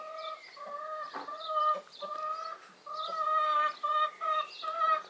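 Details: Brahma broody hen having left the nest, running about and calling: a steady run of loud, nasal, harmonic-rich clucking notes in quick irregular pulses, rising into a dense chattering sequence toward the end.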